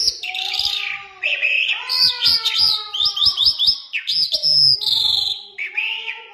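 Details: Iranian Mashadi lark, or jal, singing a loud continuous medley of twittering, slurred whistles and quick repeated chips with short pauses.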